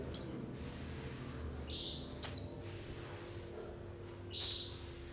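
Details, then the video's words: White-eye lure call used to attract birds for trapping and get them singing: three sharp, very high notes sliding downward, spaced about two seconds apart, with a softer, steady, lower tone and a faint hum. "SUARA PANGGILAN PLECI UNTUK PANCINGAN PLECI AGAR NGALAS BUKA PARUH DAN UNTUK PIKAT"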